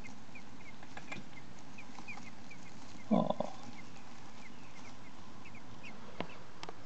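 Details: Six-day-old common blackbird chicks give soft, brief high chirps at irregular intervals throughout, with a woman's voice cutting in midway and a constant low background rumble.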